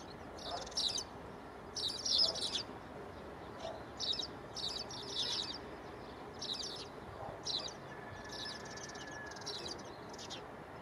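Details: Spanish sparrows choosing a nest site at Gáldar, Gran Canaria, February 2023; scattered short clusters of high, scratchy chirps, some louder, others fainter, with a faint thin whistle near the end and constant background noise.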